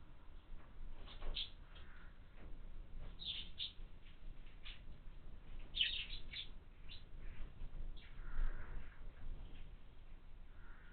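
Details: Begging house sparrow chicks at a window feeder: scattered thin chirps, sometimes doubled or tripled, spread irregularly through eleven seconds, with a few softer lower notes and a constant low hum behind.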